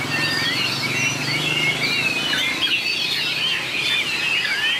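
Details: Contest song of a white-rumped shama, with long, changing phrases: tumbling whistled notes and looping trills run without a break, while a low hum lies underneath.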